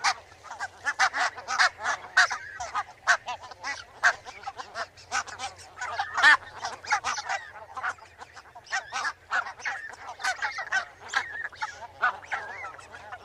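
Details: Barnacle geese in a noisy chorus of many short barking honks, dense and overlapping throughout, with a steady low hum in the background.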